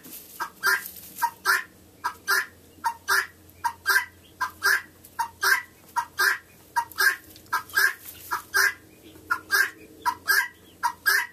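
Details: A female guineafowl on 28 November 2011 repeats a harsh, two-syllable cry over and over in a steady rhythm while a hen scratch-dances to it.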